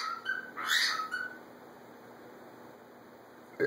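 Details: Macaw, one of a pair of pet birds interacting and calling to each other indoors: a single harsh, raspy squawk of about half a second, with a faint extra note near the end and a quiet room background.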